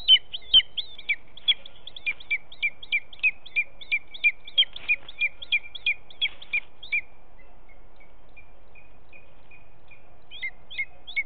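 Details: Young booted eagle, recently fledged and making short flights between trees, calling near its nest on a July morning while the male brings prey: a fast series of high, sharp hooked notes for about seven seconds, then only scattered fainter ones.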